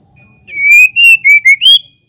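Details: Female white-rumped shama calling to stimulate and provoke male shamas into singing: a short run of five loud, clear whistled notes, the first long and slightly rising, the next ones shorter, the last note sweeping upward.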